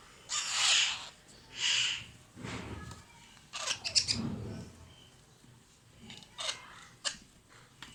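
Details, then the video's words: Young Alexandrine parakeets being fed in captivity: two loud rasping squawks open the sequence, followed by scattered shorter, scratchy calls and a few clicks. "FEEDING MY ALEXANDRINE PARROT CHICKS"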